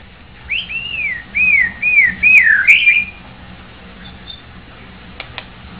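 A White-rumped shama sings a quick run of clear, arching whistles, each rising then falling, over about three seconds, followed by a few faint clicks and low background hum.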